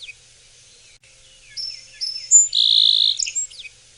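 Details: A backyard Song Sparrow, which sings leaning back on a low perch, gives its shuddering clacking song: a quick run of high clipped notes leading into a bright buzzy trill, ending with a few scattered chips, over faint hiss.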